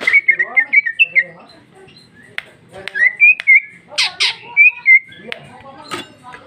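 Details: Female cucak ijo, the greater green leafbird, 2021, singing loudly with rich fill. A fast burst of short whistles, a quieter gap, then sliding whistled phrases between harsh broadband chirps.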